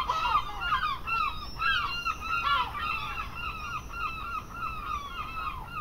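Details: Seagulls in an English seaside garden. A loud opening burst of rising and falling mewing cries settles into a steady run of softer, overlapping calls from several birds.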